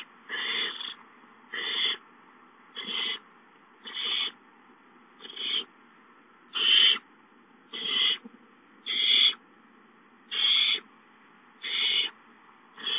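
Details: Owlets of the barn owl hiss during food delivery with short rasping bursts, evenly spaced about every 1.2 seconds. About eleven hisses are heard, separated by quiet gaps.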